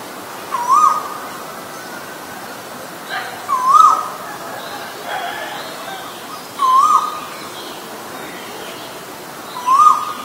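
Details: With a male and a female present, an Asian koel gives four clear, rising two-note 'ko-el' whistles, one about every three seconds, over a faint steady background hiss.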